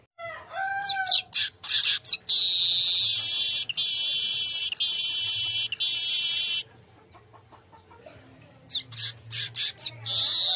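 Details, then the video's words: Lure recording of a golden-headed weaver to make birds sing: chattering notes lead into a sustained, harsh, hissing buzz, then a pause and a fresh burst of rapid buzzy chips. "Masteran burung Manyar kepala emas biar rajin bunyi"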